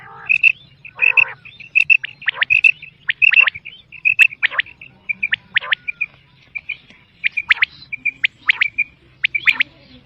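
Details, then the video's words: Quail calls from a recording used for hunting. Bright, short whistled chirps repeat about eighty times a minute in irregular runs, with an early harsh burst and a faint low hum throughout. "sound of btair 2023/بٹیر کی لاجواب کیسٹ"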